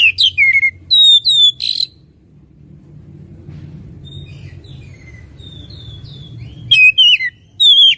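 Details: Oriental magpie-robin singing: short bright whistled notes at the start and end, with a quieter stretch between holding faint distant thin whistles over low background rumble.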